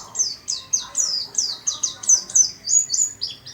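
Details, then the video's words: Small-caged warbling white-eye in steady song, giving quick high twittering notes that slide downward, roughly four each second, clear and prominent over a quiet background. "Burung Pleci rajin berkicau di sangkar kecil"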